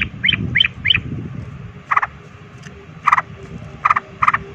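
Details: Sooty-headed bulbul giving a provoking fighting song: a few short rising chirps, then pairs of clipped mid-pitched notes every second or so, over a low rumbling background.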